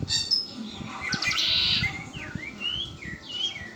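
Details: A pet red-winged blackbird sings a rasping, buzzy trill of roughly half a second, then a string of clear slurred whistles rising and falling, with faint low background noise.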